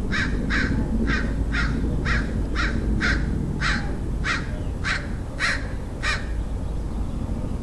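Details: Crow calling in San Diego, California, USA, 27 February 2009: a long run of about a dozen harsh, evenly repeated caws, close to two per second, against constant low-frequency traffic-like rumble.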